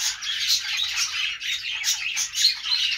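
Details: Budgies chirp excitedly: rapid, scratchy twitters and short squawky notes overlap in a steady, bright flock chatter over three seconds.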